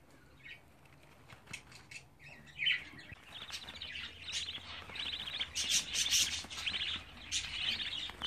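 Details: Twenty-four-day-old budgerigar chicks, starting with scattered soft chirps, then building into busy, warbling chatter of rapid buzzy notes that grows louder toward the end.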